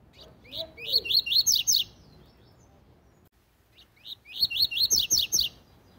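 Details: Double-collared seedeater singing tui tui zel zel, a song style for training young birds: two bursts of about eight fast, loud, buzzy descending slurs each, separated by two seconds of near silence.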